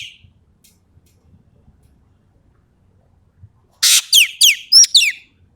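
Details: Ekek keling from Sumatra in vigorous song: after a quiet stretch, a loud harsh rasp is followed by four or five sharp, falling whistled notes delivered rapidly in one burst near the end.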